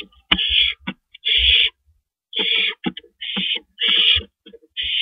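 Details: Nighttime porch owls at 2:15 AM, April 18, 2012, giving rough, airy hiss-like screeches in quick succession, each under a second, with clicks and shuffling thuds between them.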